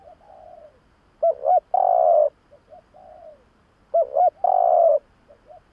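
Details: Used to attract doves, this spotted dove call alternates loud phrases of two short hoots and a held coo with softer falling coos, the loud phrase repeated about every three seconds.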